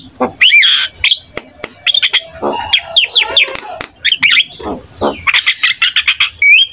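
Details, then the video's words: Javan myna in full varied song, used to coax lazy mynas to sing: dense chatter of sharp chirps, slurred whistles and grating notes, ending in quick repeated high calls. "PUTAR SESAAT..‼️ SEMUA JALAK PASTI IKUT NYAUT"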